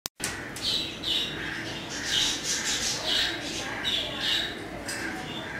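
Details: Pet African grey parrot indoors, enjoying the weather, giving a steady series of bright, high-pitched squawks, about two per second, over a faint room hiss.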